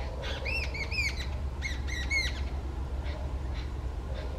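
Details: In Howrah, West Bengal, India, an angry Jungle babbler calls loudly, giving harsh, nasal, squeaky notes in two quick chattering bursts, then a few fainter calls, over a steady low rumble.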